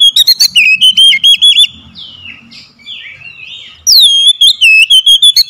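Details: Oriental magpie-robin lure song for birds slow to sing: quick ringing whistles leading into a wavering trill, a pause of soft slurred notes, then a renewed series of loud, clear whistles repeated rapidly.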